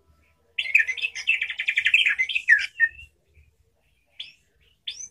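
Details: A white-rumped shama, roused and agitated by a lure, bursts into a rapid, varied song of rich whistles and chattering notes, unloading its repertoire.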